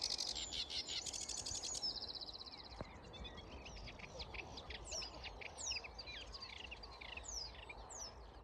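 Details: Several sedge warblers, freshly arrived migrants from Africa, sing at dawn in May in the reed beds of Grove Ferry and Stodmarsh, Kent: a fast, chattering jumble of dry rattles, buzzy trills and whistled upslurs in a restless, varied stream.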